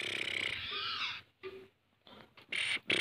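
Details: A Black francolin calling from the top of a rock gives harsh, grating, rasping bursts in quick succession, loud and scratchy, broken by a short pause midway.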